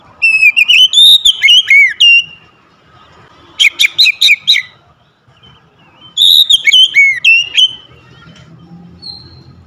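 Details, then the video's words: Oriental magpie-robin kept at home sings three bursts of loud whistles, the middle one a rapid series of sharp repeated notes, the others swooping whistled slurs, with quieter gaps and a soft high note at the end. "terapi ampuh memulihkan Kacer rumahan macet bunyi langsung gacor"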